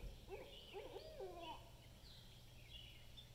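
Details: Barred owls calling back and forth with people on a porch around 10:20–10:30 in the morning; a short run of wavering, slurred hoots in quick succession over about a second, then fainter higher notes trail off.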